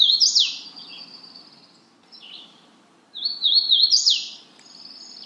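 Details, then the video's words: Two loud, high phrases from a Magnolia warbler, each a quick run of stepped, bouncing whistled notes ending in a sustained tone, the second beginning about three seconds in, over faint low noise. "Magnolia warbler Calling."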